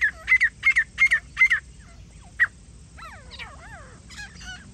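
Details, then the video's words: Grey francolin, locally jungli teetar, recorded during a partridge hunting and trapping outing; five loud, sharp, ringing notes in a rapid run, a single note after a pause, then fainter slurred, downward-sweeping calls and a few high chirps. "grey francolin | grey partridge hunting | jungli teetar shikar 👌| teetar awaaz"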